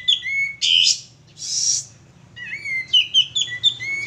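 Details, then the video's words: A male sooty-headed bulbul sings as a lure: a whistled opening, two harsh hissy bursts, then a rapid sequence of sweet, bouncing whistled notes rising and falling, with only a faint low hum behind. "suara pancingan burung kapas tembak jantan gacor"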